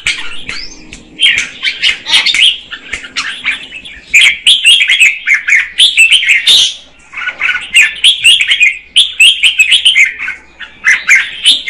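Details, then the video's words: Female red-whiskered bulbul singing to stimulate the male: loud continuous run of warbled, chirping notes around the upper-middle register, in bursts separated by brief pauses, with clicks of sharp high notes. "Chào mào mái hót kích trống Red-whiskered female"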